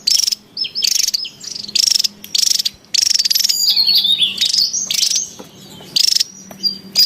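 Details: Wild Javan tesia, noisy: rasping buzzy bursts alternate with quick high chirps and downslurred whistles, sometimes overlapping, against a faint low drone.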